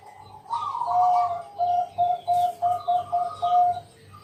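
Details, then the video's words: Zebra dove lure song recorded at night, sung to draw other doves into calling. A rolling opening coo gives way to a series of short, evenly spaced whistled notes, all over a pulsing low hum. "Pancingan malam hari Perkutut Bangkok..Suara Penghilang Stress Burung Perkutut"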